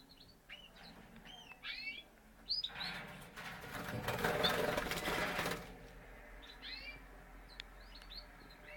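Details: Parisian frill canary from a Spanish champion breeder: high, quick chirped and trilled notes at the start and end, with a burst of loud rustling or mechanical noise in the middle.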